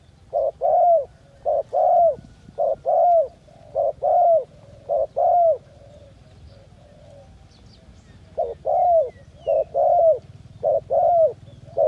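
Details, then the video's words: Dove calling in the jungle: low, soft coos in short phrases, a brief note followed by a longer drawn-out one, repeated steadily with a pause midway, over a faint low hum. "The sound of dove"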